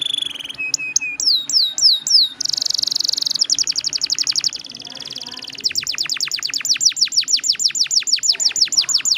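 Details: Canary song in the long-roll 'ngeroll' style, meant as a lure to set other canaries singing. A few high whistled swoops are followed by a dense buzzy trill, then long, rapid, evenly repeated high chattering rolls.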